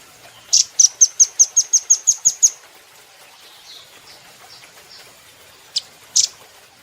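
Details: Velvet-fronted nuthatch recorded as a training model for cage birds, giving a rapid, very high, even trill of about eleven sharp notes in two seconds, followed by a silence and two more high chips.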